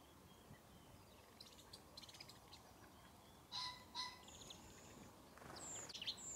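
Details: Brambling at Harrington Airfield in winter, February 2014: two clear, nasal, harmonic-rich call notes about half a second apart, with faint chirps from other birds before and thin high notes afterwards over steady background hiss.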